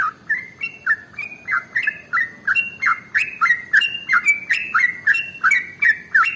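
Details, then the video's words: Sooty-headed bulbul giving an extra-long 'ropel' song for birds to learn from: a steady stream of bright whistled notes, each with a sharp downward flick, around three per second, slightly varying in pitch. "SUARA Trucukan ropel SUPER PANJANG paling AMPUH untuk PANCINGAN burung gacor"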